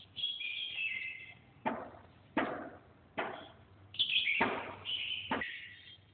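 A red-whiskered bulbul sings bright, liquid warbled phrases, broken by sharp knocking taps.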